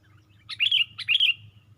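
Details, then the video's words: Sooty-headed bulbul raising its wings on a branch, in a lure recording: two loud, clear phrases about half a second apart, each a sharp upward chirp sliding into a bubbly, slightly falling whistle. "Pikat Burung Kutilang"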